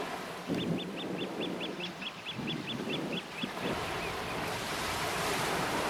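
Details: Eurasian oystercatchers in a flock on the Mie coast, Hokusei region, Japan, recorded on a calm day; a fast run of shrill piping notes for about three seconds, then only wave wash and wind noise.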